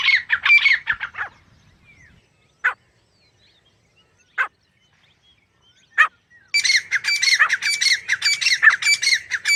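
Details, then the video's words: Harsh grey francolin notes open the recording, followed by a few isolated sharp calls separated by silence, then a sustained loud burst of rapid, rasping notes. "Dakni teetar ki awaz | bhory teetar ki awaz | Gary francolin birds | teetar sounds"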